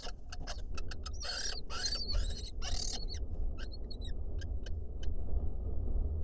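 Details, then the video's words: Male and female lesser kestrel courting in a nest box in Israel that rival females also want. Rapid clicks lead into harsh, rasping calls, followed by a few short, high, chattering notes over a constant low rumble. "Lesser kestrel pair court"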